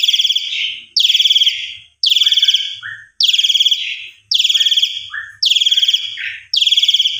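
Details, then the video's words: Asian pied starling lure recording for silent or stressed starlings: loud, harsh, pulsed buzzy notes repeated about once a second, each trailing into a short lower squeak, with faint low thumps between. "Putar Tiap Pagi Pancingan Luar Biasa - Semua Jalak Suren Macet Pundung Atau Stres Langsung Gacor"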